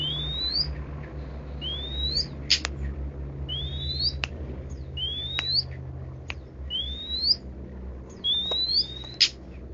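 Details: Long-tailed shrike giving a varied song of thin, high, upward-slurred whistles about every second, mixed with sharp clicking ticks, against a constant low hum.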